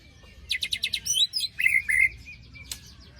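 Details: White-rumped shama in post-moult song, used as a lure for silent birds: a quick run of sharp repeated chips, then slurred whistles and a bright warbled phrase. A single sharp note follows near the end.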